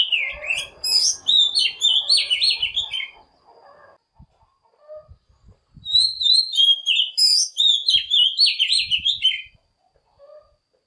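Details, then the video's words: Oriental magpie-robin song used as a lure to call and provoke other birds into singing; two bursts of rich warbled, whistled phrases separated by a quiet gap with faint knocks. "Tiếng Than mồi GỌI BỔI"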